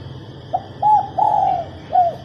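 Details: Female spotted dove cooing to excite males: a brief soft note, a medium coo, then a long drawn purring coo and a closing short downward coo, against a low continuous high hum.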